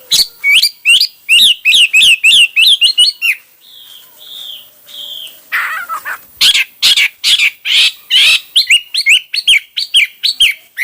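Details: Hwamei singing in many styles: long rapid series of loud looping whistles, three slow pure whistled notes, a harsh buzzy passage, then fast whistled phrases resume.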